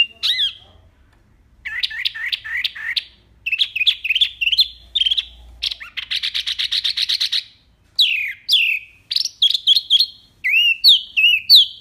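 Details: Wambi (mini) singing persistently with a loud, clear, varied repertoire, recorded as a tutor track for training other songbirds. It gives rising chirps in quick runs, then a dense buzzy trill near the middle and sharp descending whistles toward the end.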